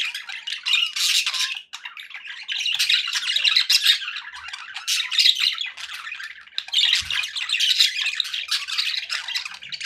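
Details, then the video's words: Pet budgerigars, happy, keeping up a long dense chorus of raspy chirps, squawks and warbles, swelling and fading in waves. "happy budgie sounds"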